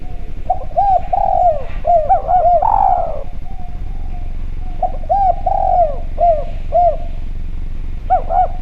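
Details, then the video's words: Lure recording of a Javan spotted dove calling actively and clearly. Several rounded, arching coos build to a longer, fuller note, then after a pause a second run of short coos follows, with a faint hum underneath. "Derkuku Djawa Gacor Suara Bening, Spesial Suara Pancingan"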